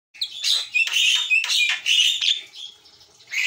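A Javan myna sings a fast run of harsh, scratchy squawks and chatters mixed with brief high whistles, about three bursts a second, then pauses.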